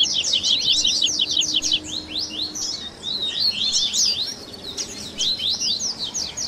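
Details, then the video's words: Double-collared seedeater 'baderna' blending tui tui, grego, viviti and flauteado styles for captive-bird training: a continuous stream of fast, high, sweeping chirps with varied slurs. A faint low hum lies underneath. "ESQUENTE SEU COLEIRO Áudio de Baderna"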